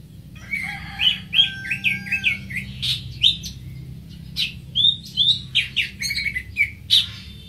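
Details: Greater green leafbird delivering a lively run of varied, quick chirped and slurred notes, phrases tumbling together for several seconds, over a faint low steady drone.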